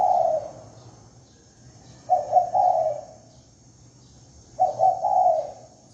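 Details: Spotted dove lure cooing, a doubled short coo then a longer one, repeated roughly every two and a half seconds, fairly soft against low hum and high insect-like ringing.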